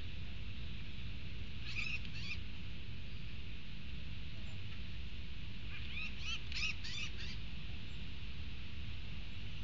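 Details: Four Spot-crowned barbets, three males and one female, at a fruit feeder in Panama give two short bursts of quick, sharp, chattering notes, a brief pair and then a longer run, over a steady low rumble.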